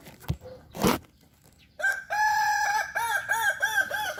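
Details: Hobby-kept Kukuak Balenggek chicken: after a few clicks and knocks, a long crow starts with a level held note, then breaks into a series of five or six rapid looping, wavering syllables.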